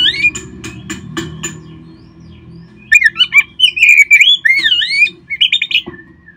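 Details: Oriental magpie-robin song played to get caged birds singing: soft clicking notes at first, then a lively stream of loud sweeping whistles and trills before trailing off.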